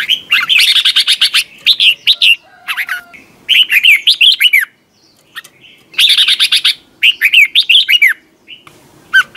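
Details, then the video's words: Red-whiskered bulbul competition singing for training: repeated bursts of loud, rich whistled warbles, some dense and chattering, others clear looping notes, separated by brief pauses, with a short quiet stretch midway. "chào mào hót đấu"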